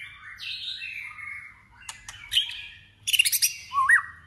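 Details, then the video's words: Competitive singing by a white-rumped shama: a long descending whistled slur, a few clicks, then a fast high chatter and a final rising whistle. "Choè lửa hót đấu/Choè lửa hót luyện giọng căng lửa/Choè lửa hót"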